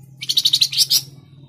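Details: Flamboyan bird, Tledekan Jati style, meant to get caged birds singing: one brief rattling phrase of about ten quick, high, chattering notes ending in two slightly longer, louder notes, over a faint low hum.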